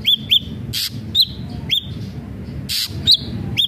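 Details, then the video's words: Ashy drongo song: clear, sharp whistled notes with an upward flick, repeated at irregular intervals between harsh, rasping bursts, over a low rumbling background. "srigunting abu abu gacor"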